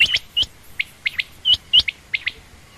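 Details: Female quail, common or rain quail, uttering clipped high chirps, several with a quick upward-then-downward hook, in pairs and singles spread across a few seconds.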